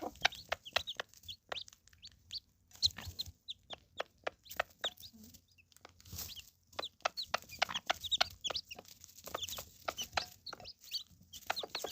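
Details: Hens, three mothers, with seven baby chicks; dense sharp chick peeps, high and slurred, chatter almost continuously over occasional softer hen clucks, busy and irregular throughout.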